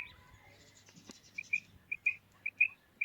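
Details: Female quail call: a handful of bright, short chirps, some doubled, spaced irregularly after a quiet start with faint background hum.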